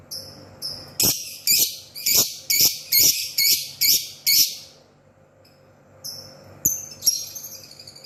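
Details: Lovebird singing in the morning; a series of harsh, buzzy high chattering bursts repeated about twice a second, then a pause and a few thin whistled chirps.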